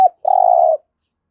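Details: Spotted dove giving a 'thúc gù' coo, used for daily training of decoy birds: a clipped opening note, then one long, steady, hooting coo of about half a second in a low mid pitch, in otherwise quiet surroundings.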